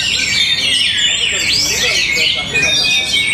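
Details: Short burst of Orange-headed thrush song from Tabanan, Bali, with dense high warbling, sharp looping whistles and rapid twitters running together, with faint voices underneath.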